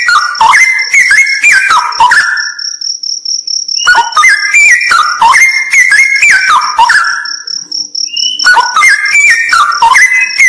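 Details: Straw-headed bulbul singing bursts of loud, liquid, warbled notes that tumble downward, separated by pauses of a second or more, while a thin high pulsing tone, like an insect, continues in the background.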